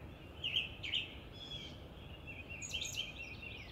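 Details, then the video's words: A common nightingale sings varied phrases: two bright, rich notes, a drawn-out whistle, then a quick rattling flourish of high notes, over a steady background hiss. "Незабываемое Пение соловья"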